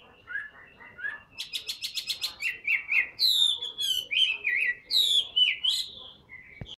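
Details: Tame caged Chinese hwamei singing: soft notes first, then a quick burst of sharp repeated chips, followed by loud looping whistled phrases that rise and fall, ending with a click.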